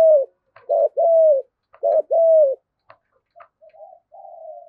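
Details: Spotted dove calling loudly to lure other doves, in the thúc gù manner. Two crisp phrases each begin with a short burry note and then a sustained, downward-curving coo. Quieter, distant coos trail off afterward.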